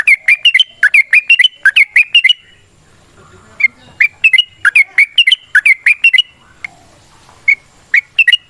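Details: Yellow-vented bulbul in lively fighting-style song with long rapid phrases, used as a lure to make other bulbuls sing back; bursts of bright, bubbly chirps repeated in quick groups, pausing briefly before resuming.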